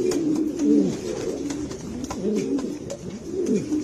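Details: Granadino pigeons, a Spanish breed, give deep gurgling coos that swell and dip, with several birds overlapping and occasional sharp knocks in the background.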